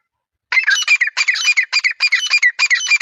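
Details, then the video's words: Rapid, continuous run of high, squeaky Grey francolin phrases repeating several times a second, starting after half a second of silence. "Gery francolin bird sound is gold voice"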